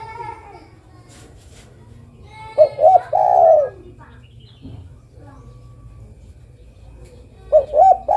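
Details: Female spotted dove calling a male: one full phrase of two hoots and a long coo mid-clip, the start of another at the end, with scattered chirps from other birds.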